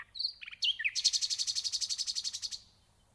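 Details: Nightingale singing: a few varied high sweeping notes, then a long fast rattling trill of about twenty evenly spaced high notes lasting nearly two seconds, ending abruptly in quiet.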